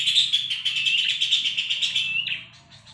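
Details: Horsfield's babbler, recorded as tutor song for songbirds: a continuous, dense, rattling chatter for over two seconds ends in a short, slurred whistle and fades.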